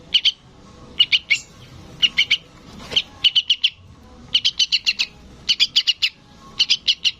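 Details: Sooty-headed bulbul chick calling its parent in a persistent stream of grouped chirps, single notes and clusters of two to five raspy high calls, barely pausing between groups.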